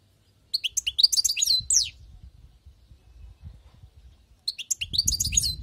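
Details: Two phrases of fast, tinkling, high twitter from a wild-caught European goldfinch, separated by a few seconds of faint low knocking, with low noise under the second phrase.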